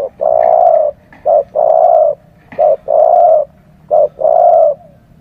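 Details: Spotted dove used as a lure bird to draw in wild doves gives low, mellow cooing: a brief note then a long, drawn-out coo, repeated three times in quick succession over a faint hum.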